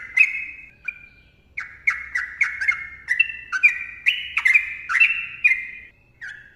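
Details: Dense song from a sooty-headed bulbul: a couple of opening notes, a pause, then a quick string of slurred notes rising and falling in pitch, some harsher and squawk-like, with sharp clicks.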